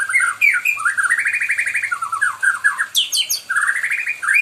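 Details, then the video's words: Pet white-rumped shama kept at home, singing to ask for company: loud, varied song of rapid rattling trills and fluting phrases, with sharp high notes and quick descending slurs, in an indoor room. "burung muraiku LG manja..gacor aja minta ditemenin..."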